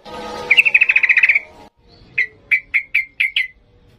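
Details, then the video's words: Agitated 'ngalas' song of a yellow-vented bulbul: a quick chattering trill of about a dozen notes over faint background hum, followed by six well-spaced sharp ringing notes. "Trucukan gacor emosi NGALAS"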